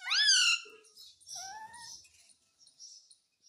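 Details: Talking Indian ringneck parakeet kept as a pet, reportedly repeating mummy mummy and mitthu in Hindi: one loud rising-falling harmonic syllable, then two softer sliding notes, with faint hissy sounds behind.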